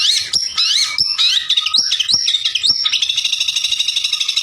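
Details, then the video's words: Provoking song of a white-rumped shama aimed at rival birds: bright whistled phrases with sharp clicks between them, then a fast, even buzzy trill holding through the end. "PANCINGAN SUARA MURAI BATU YANG BIKIN LAWAN EMOSI"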